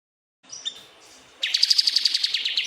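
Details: Pied triller song used as tutor material for pet birds: a few faint thin notes, then a loud, fast, buzzy trill of rapidly repeated notes that lasts over a second.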